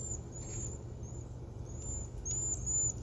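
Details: Cedar waxwings perched in a crab apple tree in autumn give very high, thin, lisping trills, several drawn-out notes overlapping over three seconds, above a low steady rumble.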